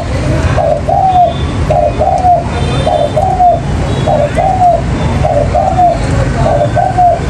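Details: Spotted dove lure call for trapping, mailai style: repeated paired and tripled coos, the final note drawn out and dipping, evenly spaced through the recording over a low hum.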